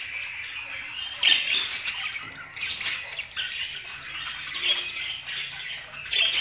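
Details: Scratchy budgerigar chatter with a sharp high squawk just after one second and another louder burst at the end.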